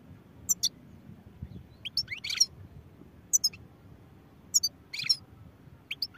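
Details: European goldfinch giving short, separated bursts of high sharp chirps and slurred twitters, spaced by pauses of one to two seconds, over a quiet low background hum.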